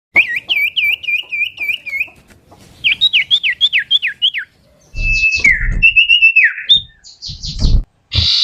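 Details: Common iora song in a chattering style: quick runs of rising whistled notes repeated several times a second, then a set of downslurred whistles and longer, level, varied whistles with brief clicks between phrases.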